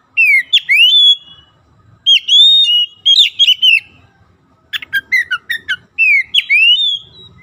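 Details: Loud white-rumped shama song aimed at getting silent birds singing, with rapid groups of sharp downslurred whistles separated by short pauses and a burst of clipped chattering notes.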